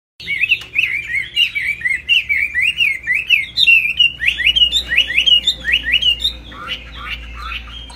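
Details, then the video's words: Caged laughingthrush singing high while flapping its tail, a loud run of clear whistled phrases sliding up and down, each note bending sharply, delivered in a steady stream of roughly eighty phrases a minute over faint low hum. "Hót cao cầu đập đuôi khướu"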